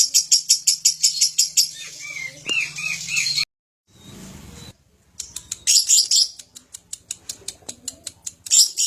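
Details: Lovebird chattering song, meant to stir other birds into singing: rapid pulsed high chatter, a brief gap with soft hiss, then more quick repeated sharp chirps; a faint low hum sits underneath early on.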